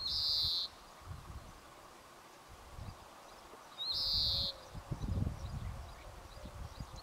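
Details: A European greenfinch calling in the Jordan Rift Valley, Israel, gives two harsh, buzzy wheezes, each about half a second long, nearly four seconds apart, over a low background rumble.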